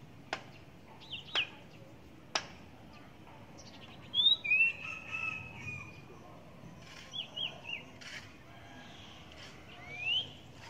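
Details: Huýt cô bird during trapping with a caged female decoy at the first rain of the season in the Vietnamese countryside; scattered short rising and falling whistles around 4 to 10 seconds, with sharp clicks and knocks early on.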